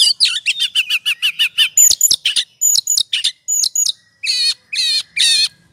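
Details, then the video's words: Ngobra-style oriental magpie-robin song, a lure for provoking singing: a fast run of repeated chirps, then separated high whistled phrases with down-sweeping ends, closing with several harsh buzzy bursts. "Pancingan suara kacer ngobra,,pasti emosi dan gacornya terpancing.."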